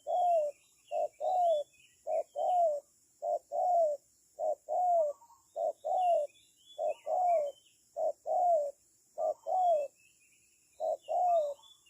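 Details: Decoy spotted dove for bird trapping, repeating low paired coos at a steady pace, about one pair a second, with faint high chirps from other birds above.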